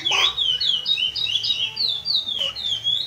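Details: Young caged chestnut-bellied seed finch (curió pardo) aged eight months, rehearsing praia grande classic song notes for tournament: bright whistled phrases gliding downward, delivered rapidly about three to four per second, over faint low music.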